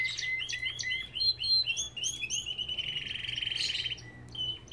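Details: Aviary Belgian canary delivering quick up-slurred whistles in a rapid series, then a long buzzing trill, ending with a few sharp chips. Soft steady hum underneath.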